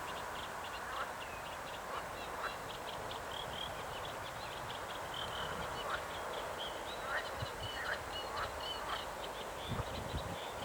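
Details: Common moorhen with chicks hiding in reeds on the Oder river: many thin, high peeping notes repeated irregularly over several seconds, faint against a steady broadband hiss with occasional low thumps.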